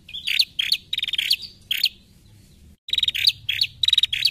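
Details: Female bar-winged prinia, a recording used as a lure to get untrained prinias calling. It gives sharp, high chirps and short buzzy trills in rapid bursts. A brief break follows, then another run of quick chirping notes over a faint low hum.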